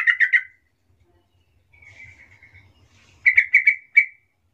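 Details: Soft lure song of a yellow-vented bulbul used to draw replies from other bulbuls: a quick bubbly burst of notes, a thin quiet trill, then a second rapid run of rich bubbling notes.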